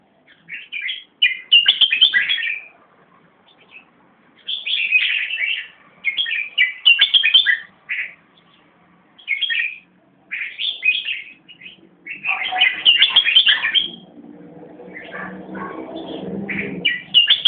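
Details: Greater racket-tailed drongo singing alongside another bird with the same song, labelled แมวน้ำ. Bursts of varied chattering, whistled and scratchy phrases separated by short pauses, with a lower buzzy murmur near the end.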